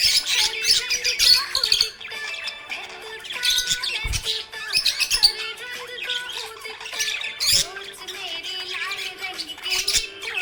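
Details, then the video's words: A happy budgie chattering almost nonstop: grating warbles, quick chirps and occasional sharp squawks, layered over a background music track, with a few brief low thumps. "Happy budgie chirping sound"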